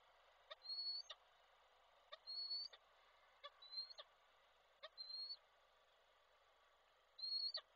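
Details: A male peregrine falcon calls to the female as he brings prey, Koszalin, Poland, 16 February 2024. Five clear, thin, level-to-rising whistles, each under half a second, come roughly every one to two seconds, bracketed by sharp clicks.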